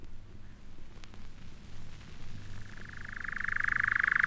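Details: European Nightjar, a scarce summer visitor to British woodland, churring at June dusk in a sustained trill of up to 1900 notes a minute. After a low rumbling start, a rapid, even, mechanical pulsing begins midway and grows steadily louder.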